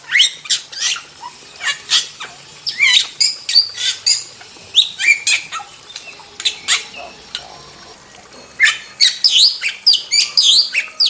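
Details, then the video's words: Wild starling in lively song: rapid bright chirps and slurred whistles mixed with harsh rasping notes, a quieter stretch in the middle, then a fast, crowded run of high notes at the end. "Masteran Jalak Super Gacor – Ultimate Wild Starling Sound Effect"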